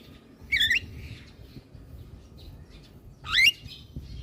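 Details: Javan myna song for stimulating quiet mynas: two loud, harsh, upward-twisting squawks about three seconds apart, with soft murmuring background between them.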